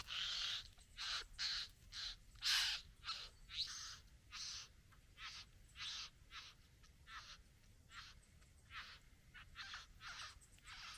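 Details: A Satin Bowerbird courting a female at its bower gives harsh, rasping, buzzy bursts about once a second, uneven in spacing and loudness, with no other sounds standing out.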